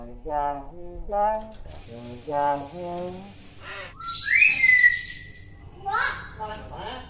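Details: Tame talking common hill myna from Indonesia copying human words, three or four speech-like syllables followed by a bright rising whistle that slides upward then levels off, then more short voice-like notes.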